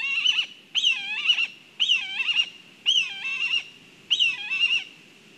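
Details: Black kite at the nest in Kurzeme, Latvia, as food is delivered: five wavering, neighing whistled calls about once a second, each starting high and quivering downward in a trembling trill.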